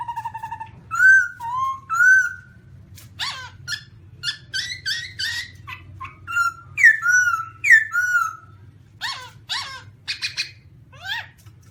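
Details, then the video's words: Black-throated laughingthrush (Garrulax chinensis) mixing clear whistled slurs with bursts of sharp chattering notes, phrases repeating irregularly over nearly twelve seconds, a faint low hum beneath. "Birds Black-throated laughingthrush (Garrulax chinensis): Funny Sounds And Funny Dances"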